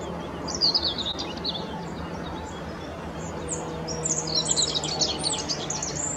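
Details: A rock bunting on the Apolloweg at Valwig in the Moselle valley, Germany, gives thin, high, quick notes in short scattered bursts, over a steady low mechanical hum.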